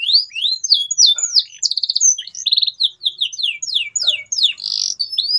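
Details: Nonstop gacor canary song, used as stimulation for silent birds: sweeping whistled slurs mixed with short fast trills and rattling rolls, dense and bright throughout.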